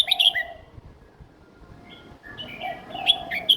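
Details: Young caged red-whiskered bulbul singing a simple, easily copied song style: bright chirped notes at the start, then a rising run of whistled phrases near the end, with a soft low cooing from another bird between them.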